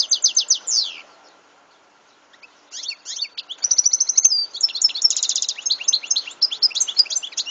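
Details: European goldfinch singing, 2014: fast liquid twitters and rapid trilled runs, a brief pause, then a long, dense, tinkling stream of buzzy, chattering notes repeated rapidly to the end, over faint background hum.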